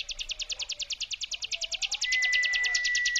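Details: Ciblek gunung prinia giving its 'brem' trill, used as a lure sound: a fast, even, buzzy pulse train of high notes, about three per second-fraction, steady throughout, with a thin steady whistle tone entering midway.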